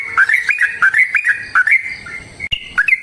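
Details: Sooty-headed bulbul giving a lively fighting-style long rapid song (ropel panjang), used to prompt other bulbuls to answer: quick clusters of bright, slurred whistled notes tumbling up and down, nearly continuous with a short gap.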